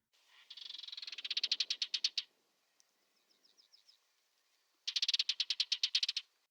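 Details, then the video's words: A Barred Warbler, found in late August during fall migration in the southwest Netherlands, gives its distinct call: two dry, accelerating rattles of about fifteen harsh, high, buzzy notes each, with a few faint soft notes between them. "It was picked up by its distinct rattling call."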